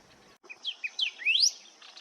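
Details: Golden-billed Saltator vocalizing among shrubs and trees at Lihué Calel National Park, La Pampa, Argentina, in early autumn 2025: a few short, clear whistled notes, then a quick rising slurred whistle, over a faint background hiss.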